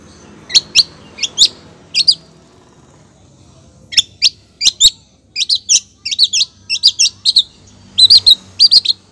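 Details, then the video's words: Long-tailed shrike female calling for a male, giving clusters of bright, high chattering notes in pairs and short runs, with a two-second pause before a denser, faster stretch of chirps near the end. "cendet betina gacor manggil cendet jantan"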